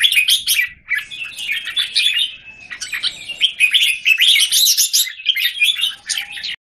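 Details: Singapore cage-bird red-whiskered bulbul facing off in song with other bulbuls, 17 January 2019; continuous lively chattering and whistled warbles, nearly unbroken for six seconds, with a few brief breaks.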